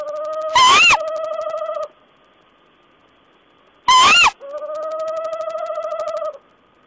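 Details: Owl calling on 14 April 2010: two loud, harsh screeching bursts with a rising-then-falling squeal, each followed by a long, steady, humming tone with faint rapid pulsing, roughly three seconds apart.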